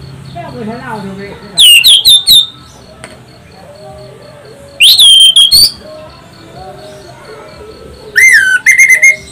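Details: Loud, shrill orange-headed thrush song used as a lure for other birds: three bursts of rapid, piercing whistled notes about three seconds apart, with soft twittering of other birds in the gaps.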